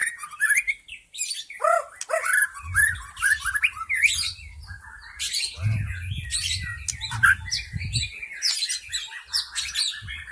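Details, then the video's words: White-rumped shama from the forest, song used as a lure to attract wild shamas and make them sing: rich varied whistles, trills and sharp notes, with a low rumbling background through the middle section. "SUARA PIKAT MURAI BATU ASLI HUTAN"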